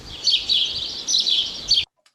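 House Sparrow chatter: a busy run of bright, high chirps and twittering notes in two bursts, steady and jumbled, ending abruptly.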